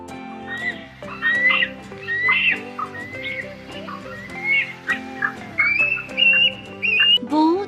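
Bald eagle giving thin, high whistled chirps in quick bursts over steady background music.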